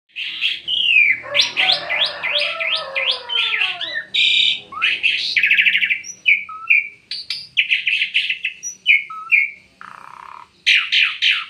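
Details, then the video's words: Bird singing energetically in a dense, rapid stream of high chirps, trills and short whistled notes, with fast descending phrases early on, buzzy bursts, and brief pauses between phrases. "burung gacor"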